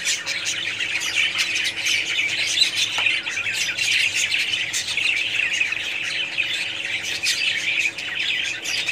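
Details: Budgerigar colony in full voice, a constant bright chatter of overlapping chirps, squawks and warbles from numerous birds, loud and unbroken throughout.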